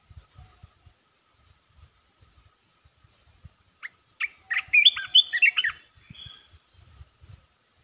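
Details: A caged red-whiskered bulbul pours out a rapid 'poet dok' phrase: one burst of fast, warbled, chirping notes, about a second and a half long, preceded and followed by faint low tapping sounds.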